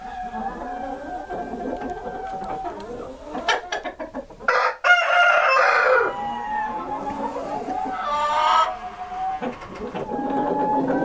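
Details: Columbian Rock chickens, a rare brown-egg breed kept as a purebred breeder flock, give a busy mix of low repeated clucks and murmurs. Two loud, harsh crows break through near the middle, and more clucking follows.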